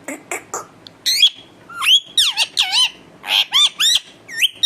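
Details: A talking pet parrot produces a varied stream of sliding whistles, swooping tonal notes and harsh squawks, some rising and falling sharply, in irregular quick succession.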